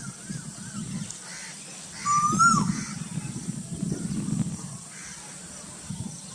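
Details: Burdwan cuckoo: a lone clear whistle rises steadily and then dips abruptly at its close. It stands out from faint background rumble and distant chatter.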